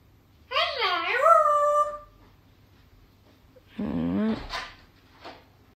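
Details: An African grey parrot mimics the phrase "Allah hu": a drawn-out, rising-and-falling voiced syllable, a pause, then a shorter breathy word, in a quiet room.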